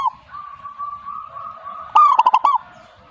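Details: Zebra dove, known locally as perkutut, answering with its song: one quick phrase of low pulsed cooing, a rising note then rapid rolling beats, after a stretch of quiet humming background.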